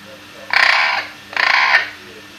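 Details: Five-year-old pet Eclectus parrot kept indoors at home. Two harsh, raspy squawks about a second apart, each lasting a third of a second, with faint household hum behind.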